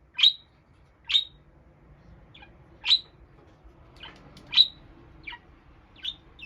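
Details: Lone pet budgerigar, calling intensely when by itself: a series of about nine sharp, piercing chirps repeated roughly every second, some louder than others, against a quiet indoor background.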